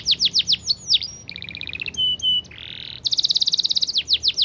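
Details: Canary's long, clear training song, varied: swooping whistled notes, a buzzy pulsed trill, flat sustained tones, a harsh rasping burst, then a very rapid tight roll and more swooping whistles.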